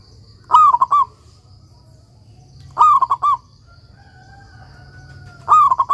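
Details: Active local perkutut, or zebra dove, as master song for stalled young doves: three repeated cooing phrases with a rising lead note and three staccato coos, a faint steady whistle-like tone between phrases, low hum behind.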